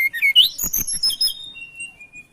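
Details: Songbird known as tledekan, in breeding condition and looking for a rival, gives a quick run of bright, squeaky, rising whistles that break into a fast twittering flourish, then trails off in faint, thin, level whistles.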